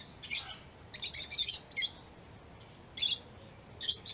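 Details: Shrill, high chirping from a lovebird in rapid clusters of squeaky notes, a brief pause, then further sharp chirps, over steady background hiss.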